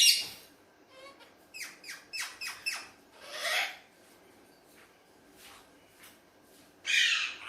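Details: Tame Alexandrine parakeet playing with its mirror, giving a series of short rasping notes, one longer harsh squawk midway, then near silence before a loud burst of screeching at the close.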